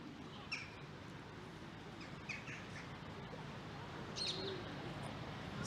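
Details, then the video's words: In trees above a riverside path by the River Bollin at Quarry Bank Mill, Cheshire, on 21 December, with the sun low, a flock of rose-ringed parakeets overhead gives short, harsh, high squawks every second or two over a steady low outdoor rumble. "noise is a load of ringneck parakeets in the trees above my head."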